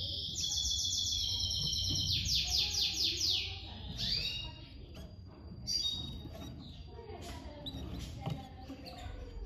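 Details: Domestic canary chicks being fed by their mother, with rapid, evenly repeated high chirps in fast buzzy trains for about three seconds, then scattered sharper twittering notes over a low background hum.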